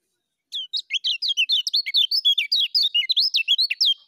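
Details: Kecial kuning, the lemon-bellied white-eye, delivering a fast ngejos song for training birds: sharp, slurred high whistles tumbling one after another for about three and a half seconds, with no other sounds.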